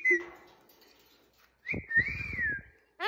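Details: Pet parrot that copies its owner, indoors: a clear whistled note, then a longer wavering whistle that rises and falls, with soft clicks and rustles underneath and a sharp squeak at the end.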